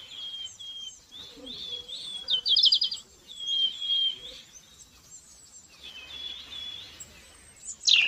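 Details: Wild birds in a chorus of high whistled phrases and a quick trilled burst, with pauses between outbursts and a sharp loud note at the very end over a soft background hiss.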